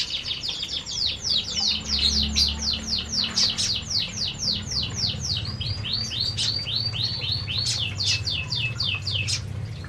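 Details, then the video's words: Several canaries eating in an aviary keep up quick, high chirps repeated almost four times a second, overlapping into a busy twitter, with a low rumbling background underneath. "Burung Burung Kenari Sedang Makan Di Aviary"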